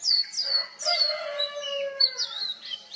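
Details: Oriental magpie-robin mimicking other species: loud downslurred whistles, a long low drawn-out note with rich overtones, then more sharp whistled phrases.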